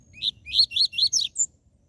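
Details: Tui tui zel zel song of a seedeater, played to excite caged birds: six rapid chirpy notes sweeping upward, buzzy and evenly spaced, the last higher and thinner, then silence. The background is quiet.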